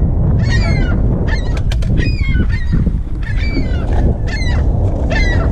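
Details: Baby ring-billed gulls, rescued after jumping from a scalding hot roof and being caught into boxes, give short, harsh, squealing calls, several overlapping in bursts about every second, over heavy wind and handling noise.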